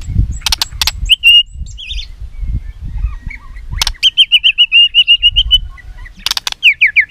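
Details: White-rumped shama singing its fighting song for training and provoking rivals: sharp clicks, a short trill, then a long steady run of rapid rolling notes and a closing string of falling slurs.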